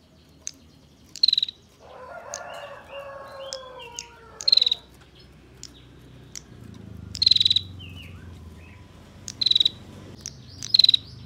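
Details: Dense 'ngebren' rattling of a female bar-winged prinia, kept as a master song for training songbirds: five sharp, high, rapid-pulsed trill bursts at uneven gaps, plus a lower descending harmonic call early on.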